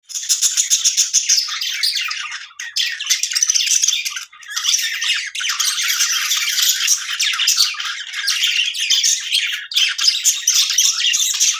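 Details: Budgerigars in a happy mood, playing, chatter steadily in a dense stream of scratchy, high warbles and squawks.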